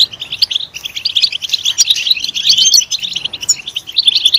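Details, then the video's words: Loud European goldfinch song for stimulating goldfinches to sing: a continuous, rapid, tinkling twitter of high chirps and trills that barely pauses, with a slight hiss underneath. "Stimulating a goldfinch clip to make it chirp in a loud and wonderful voice"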